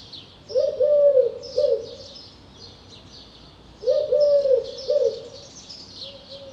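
Eurasian collared dove giving two soft, low three-note coos, a long note then two shorter ones, repeated after a pause, over high twittering of small birds.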